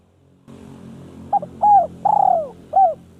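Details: Village spotted dove calling a rival: a mellow four-note coo phrase, a brief note, two coos and a long falling coo, over a steady low hum of background noise.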